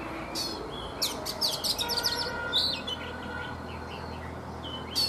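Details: Caged Oriental magpie-robin, wild-caught adult with three seasons in the cage, morning singing: a burst of rapid high chirps, then softer whistled notes fading out, and a sharp note at the end.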